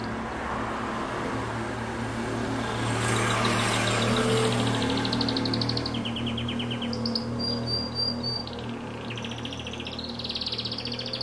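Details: Canary singing: after a few seconds of low traffic-like rumble, rapid high trills begin, a fast rattling roll, then a series of sharp, thin, repeated notes and rising sweeps. A steady low hum continues underneath throughout.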